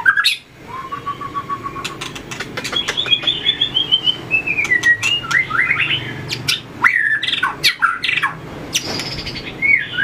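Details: White-rumped shama practising competitive fighting song, tail flicking: a low level whistle, then a descending series of bright whistled notes and warbles, interspersed with sharp clicks.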